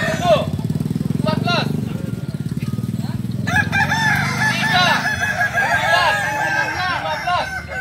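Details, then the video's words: Crowing kukuak balenggek chickens at a training contest, short arched crows in the first seconds over a loud low engine-like drone, then several birds crowing together in long, tiered, undulating phrases, with some speech in the background. "Ayam kukuak balenggek"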